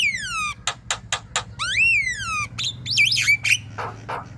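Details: From a moulting Javan myna used to draw song from others: long slurred descending and arching whistles mixed with sharp clicks and a wavering squeaky phrase.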